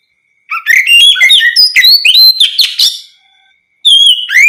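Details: An Oriental magpie-robin sings ngeplong-style song meant to draw other magpie-robins into replying. It delivers a dense, fast run of varied whistles and chirps for over two seconds, pauses, then starts a high sliding phrase.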